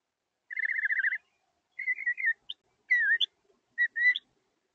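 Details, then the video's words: Northern mockingbird singing: a fast, even, whistled trill, then a run of varied warbled and slurred whistled phrases separated by short pauses, each phrase different, over a clean, quiet background. "The Sounds of a Mockingbird"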